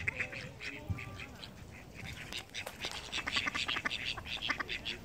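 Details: Flying call ducks quack in short, harsh, high-pitched notes. A few scattered calls open the recording, then a faster, louder chorus of quacks fills the second half.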